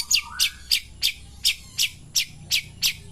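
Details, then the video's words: Cendet pastol, a long-tailed shrike, singing in the morning: loud sharp chirps spaced about three per second, with one short rising whistle at the start. "kicauan Burung Cendet Pastol di pagi hari"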